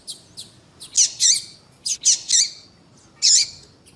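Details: Female double-collared seedeater calling, used by breeders to stimulate males to sing: sharp, high chirps and short buzzy squeaks in irregular clusters, about a dozen notes over four seconds, with faint background hiss.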